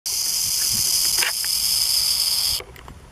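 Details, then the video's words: Burrowing owl guarding its chicks at the nest gives a steady, high, dry hiss for about two and a half seconds, like a rattlesnake's rattle, to drive off a predator, then stops abruptly. "Coruja Brava . Parece som do guizo da cobra cascavel"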